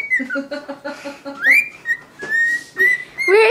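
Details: A one-year-old pet male cockatiel singing to a tissue: a rapid run of low, voice-like chattering notes, then long level whistles and a harsh rising squawk at the end.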